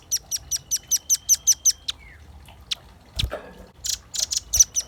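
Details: Velvet-fronted nuthatch in full song for luring and tutoring birds: it opens with a quick run of about nine shrill, high, evenly spaced chips. Scattered clicks and knocks follow, and a few more high notes come near the end.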